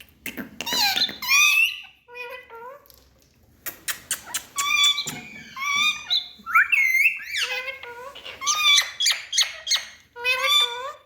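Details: Parrots talking in a small room with bursts of squeaky, speech-like phrases and rising whistled syllables, separated by several short silences over about eleven seconds.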